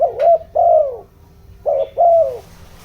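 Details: Low, soft cooing from a spotted dove used as a decoy, giọng đồng style, to excite wild birds: two phrases of a brief bent note and a drawn-out falling coo, separated by a short pause.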